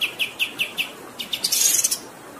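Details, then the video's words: Kapas tembak bird in a long rolling training song, heard as five evenly spaced high chirps followed by a burst of dense, shrill, buzzy notes. "MASTERAN KAPAS TEMBAK GACOR Ngerol Durasi Panjang"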